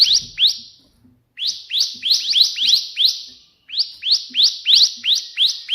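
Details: Bar-winged prinia singing steadily in the 'tembakan' burst style, used as a tutor recording: rapid series of sharp upswept chirps, about three per second, in two runs separated by short pauses. Quiet background.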